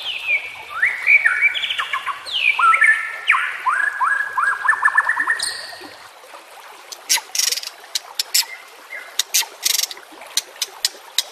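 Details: Training song of the White-rumped shama for caged birds: a burst of descending whistled sweeps and stepped notes, then a series of sharp, scattered clicking bursts.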